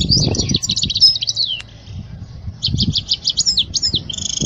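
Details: European goldfinch song for teaching young goldfinches: rapid twittering runs of high, tinkling notes with buzzy trills, a brief pause, then a burst of quick repeated chirps, over low rumbling background noise.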